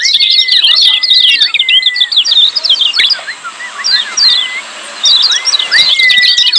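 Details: Lemon-bellied white-eye 'ciak' calling, loud and crowded, used to prompt quiet birds to sing: fast clusters of sharp high chirps with drawn-out flat whistles beneath, thinning out around the middle before resuming.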